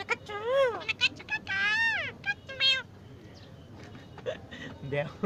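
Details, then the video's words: Jungle myna imitating human speech in rapid, voice-like phrases of rich arching tones. A longer drawn syllable sits near the middle, followed by softer, scattered utterances and light background noise. "ঝুঁটি শালিক পাখি কথা বলছে, মানুষের মতো করে। The crested bird is talking like a human"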